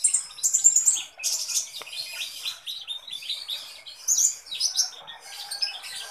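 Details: Busy, energetic song of a Kolibri Ninja sunbird: continuous high-pitched twittering made of rapid sharp chips and thin squeaky notes, almost without pause.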